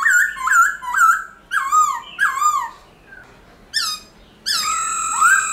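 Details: Black-throated laughingthrush singing a wild-type song, played to train captive laughingthrushes: loud, rich whistled phrases that rise and fall, repeated about twice a second, ending in a long ringing, slurred note.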